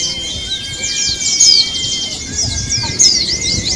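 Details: Javan white-eye song played as a lure to get a caged bird singing in a contest simulation: dense, high, rapid chittering trills with twittering phrases, over a steady high electronic tone and faint low murmur.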